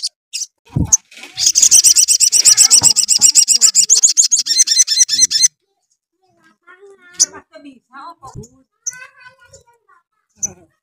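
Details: Sooty-headed bulbul in full song, used to provoke rival bulbuls: a steady, fast run of sharp repeated notes for about four seconds, then scattered softer chirps and clicks.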